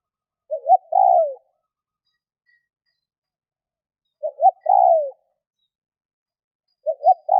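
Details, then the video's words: Spotted dove cooing: a soft low phrase of two short notes and a longer falling coo, repeated about every three seconds in quiet surroundings. "burung tekukur"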